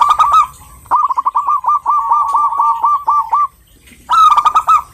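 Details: Female local zebra dove calling to a male: rapid strings of short, soft cooing notes at a steady mid pitch, repeated about five per second, with a pause before a louder, harsher burst at the end.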